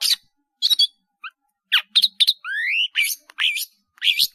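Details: Long-tailed shrike, caged, singing a varied song used as a training master: scratchy chirps, a clear rising whistle, slurred squeaky notes and short buzzes.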